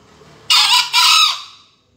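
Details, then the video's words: Contest green junglefowl from Surabaya, Indonesia, 2020 final, gives a loud rasping crow of two hoarse syllables, each roughly half a second, the second trailing off quietly. "Final lomba video ayam hutan hijau 2020"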